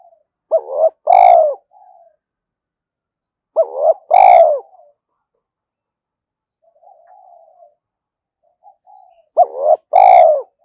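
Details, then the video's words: Decoy spotted dove cooing to call in wild doves. Three spaced phrases, each a quick double hoot followed by a full, rolling coo that falls away, with soft low mutterings between them. "chim cu gáy thúc + gáy gọi những con bổi nhà + bổi rừng"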